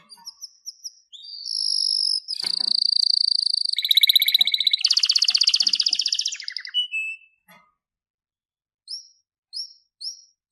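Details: Canary song with quiet high chirps leading into a sustained whistle, then a long loud buzzy rolling trill, a brief lower rattle, and a few soft chirps after a pause.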